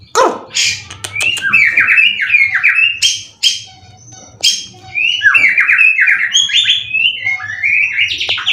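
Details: Contest-winning caged white-rumped shama from Indonesia delivering a rich, varied song: sharp clicks, then rapid chains of rising and falling whistles and bright trills, nearly continuous, with faint low background hum.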